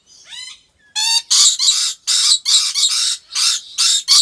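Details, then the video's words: Captive rainbow lorikeet at a wildlife park in Aceh Besar, Aceh, Indonesia: a faint, wavering, harmonic note, then a rapid run of loud, harsh, grating screeches in short bursts, roughly three per second, with no other sounds. "Rainbow Lorikeet Sounds"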